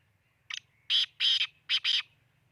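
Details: Black francolin from Khushab giving its harsh rasping call: one brief clipped note followed by four longer, scratchy, broadband notes grouped in two pairs, with a faint low hum underneath.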